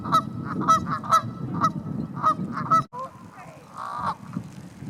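Canada geese honk in a rapid, irregular series of loud, nasal calls, several birds overlapping, with low rumbling background noise and faint voices.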